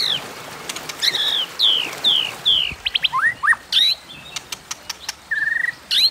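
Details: White-rumped shama singing in a fighting contest, 'hót đấu': a series of clear descending whistles, quick rising slurs, a flat held whistle near the end and scattered clicks and ticks.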